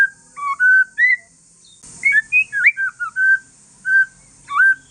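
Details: Calm song of a white-rumped shama, Aceh forest strain, used to draw replies from other shamas: varied clear whistled phrases, rising and falling slurs with short pauses, and a brief scrape midway over steady high hiss.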